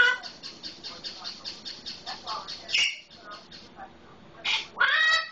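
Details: Solomon Island eclectus parrot kept as a pet, mimicking a red-lored amazon: a run of quick soft clicking notes, then harsh raspy squawks and a bending whistled-harmonic cry near the end.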